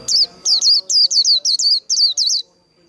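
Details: Japanese white-eye delivering líu đấu song, nine loud, sharply descending high chirps in quick succession, some paired closely together, with faint low murmuring underneath at the start.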